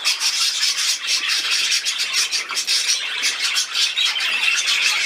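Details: Budgerigar at play, recorded 13 December 2019: continuous, busy high-pitched warbling chatter with rapid squeaky chirps and scratchy notes, fairly steady in loudness throughout.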